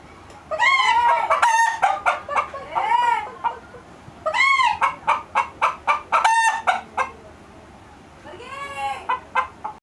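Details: Chicken making unusual noises: rapid runs of sharp, arched clucks, about four a second, in bursts separated by brief quiet spells, ending with a longer strained, wavering call.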